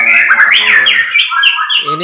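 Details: White-rumped shama (murai batu), a breeding parent bird at a breeding farm in Tambakromo, Pati, Central Java, Indonesia. Bright whistled notes sweep up and down in quick succession over a man talking nearby.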